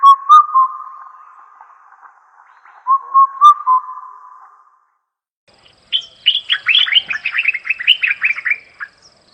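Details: A bird gives a steady, mid-pitched whistled note with a few sharp accents. After a pause it repeats the note, then breaks into a fast, descending twittering run of many short notes.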